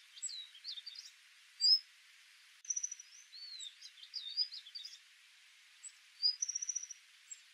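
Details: Large grey babbler (Argya malcolmi) gives a scatter of thin, squeaky chirps and short whistled slurs, some in quick bursts, over a steady background hiss.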